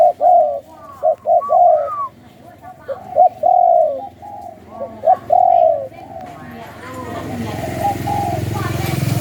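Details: Captive Thai spotted dove of the 'sai khu ang' song line, cooing in clear bursts of short, hollow notes with a couple of longer falling coos. Rising hiss and rumbling noise take over near the end.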